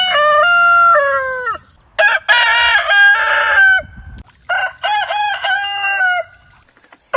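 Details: Crowing roosters of different heritage chicken breeds. A smooth, steady crow that falls at its end is followed by several rougher, broken crows with bending notes. Faint low background noise runs beneath.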